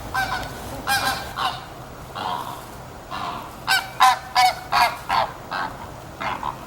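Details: Greater flamingos relocating to the winter enclosure honk loudly and repeatedly, goose-like nasal calls from several birds, first scattered, then a rapid run of about ten honks in quick succession.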